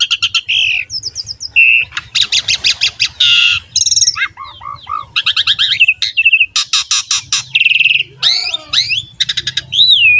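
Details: Lure song of an Asian pied starling, meant to make other starlings and songbirds sing: a dense run of rapid rattling chatters, squeaky whistles, descending slurs and harsh notes, with a faint low hum underneath.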